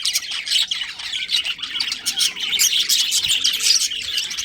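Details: Budgerigars in a breeding colony chattering nonstop: many high, rapid chirps and harsh squawks blend into a busy, shrill chorus.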